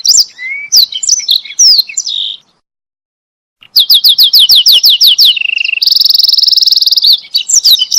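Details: Canary song used for training other canaries: varied chirps, then a run of rapid rising high notes, a steady trill and a dense buzzing trill, with a short pause near the middle.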